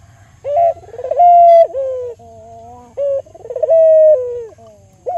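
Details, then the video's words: Lure calls of an albino local Barbary dove used to encourage other doves; two full coo phrases of a short upward note, a rippling purr and a long slightly falling tone, with softer steady notes between. "Pancingan Burung Puter Lokal Albino Gacor Suara Merdu"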